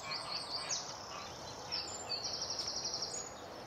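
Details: Eurasian spoonbill chicks in the nest at a breeding colony in Delftse Hout near Delft, the Netherlands: thin, high, rapidly pulsed trills that come in short bursts, with scattered chirps from other birds and a steady outdoor background.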